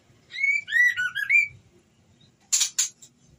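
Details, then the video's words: A female white-rumped shama in breeding condition calls the male with a clear, sliding whistled phrase of looping notes, followed by two short harsh rasping bursts. "Suara Murai Betina Birahi Memanggil Jantan"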